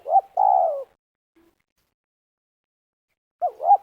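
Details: Spotted dove calling during snare trapping on the ground in Liwa, West Lampung, Indonesia. Two quick hooked notes run into a drawn-out descending coo, and after a pause a fresh phrase begins. No other sounds.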